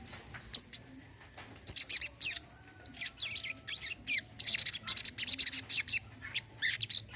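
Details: Olive-backed sunbird (sogon, kolibri kelapa) meant to prompt a silent bird to sing: rapid, very high twittering trills in dense bursts, separated by short quiet pauses and a few isolated chips.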